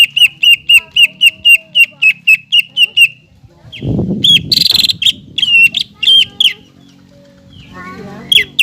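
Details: Captive greater green leafbird singing as a training recording: over a dozen evenly spaced, identical sharp whistles about four per second, then a rustling noise and scattered harsher whistled phrases.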